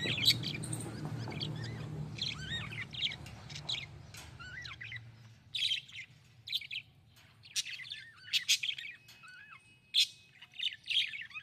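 A budgerigar gives bright, rapid chirps and twittering warbles in short bursts.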